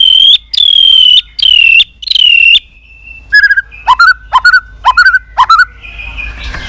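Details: White-rumped shama calling continuously to stimulate weak birds: four long, high, steady whistles, then a run of short bouncing notes repeated about twice a second.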